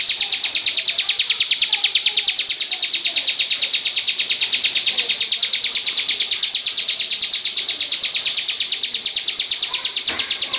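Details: Bar-winged prinia delivering its loud, full-length "ngebrem" song, recorded to train other birds: a long continuous run of rapid, shrill, buzzy repeated notes at a steady pace, with a faint low thump near the end.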